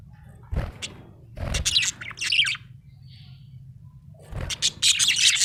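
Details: Happy budgerigar chattering in several bursts of high buzzy chirps, with low thumps and knocks alongside and a steady low hum beneath.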